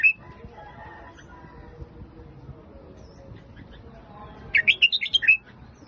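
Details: Phetchaburi-style song of a red-whiskered bulbul: after a brief chirp and a quiet stretch, one quick phrase of five or six lively whistled notes that jump up and down, set against a faint low rumble.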